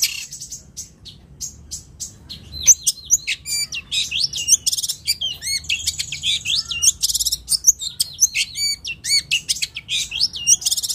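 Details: Long-tailed shrike (cendet or toed) in full song: very high, dense medley of sweeping whistles, sharp ticks and rapid trills that grows busier and louder as it goes.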